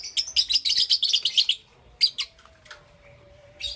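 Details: Pet lovebirds, Parblue Euwing green opaline and green opaline, heard in the morning: a fast chattering string of high chirps for over a second, then scattered single squeaky notes and a faint steady tone.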